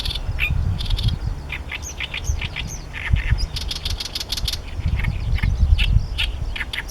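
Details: Male great reed warbler singing from his favourite song-post to claim territory, Heijō Palace site, Nara City, Japan, 14 May 2013; harsh, croaking and chattering notes in rapid repeated phrases over loud low wind rumble.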